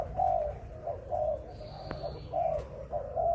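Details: Spotted dove kept for breeding, cooing in low, hollow repeated phrases, each soft coo swelling then fading with short gaps, over a steady low background hum and a faint click.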